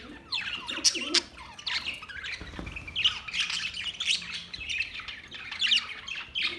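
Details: Green parrot giving a steady run of harsh squawks and sharp chirps, closely spaced and varied in pitch, with brief gaps between bursts throughout.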